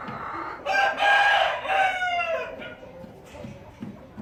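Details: A rooster's crow of nearly two seconds, loud and harmonic, broken into segments with a falling tail, followed by soft clucks and farmyard background noise.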